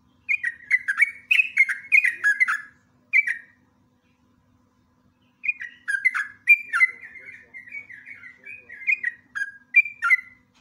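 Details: Sooty-headed bulbul in long-form training-recording song, a lure in a lively rapid style with bursts and chattering phrases: bubbly, slurred whistled notes in quick clusters, a pause near the middle, then a longer run of warbling phrases.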